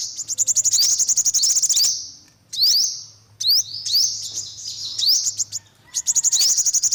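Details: High, fast chattering trills and sharp rising slurs from an olive-backed sunbird, delivered in quick bursts with short gaps, over a soft low hum.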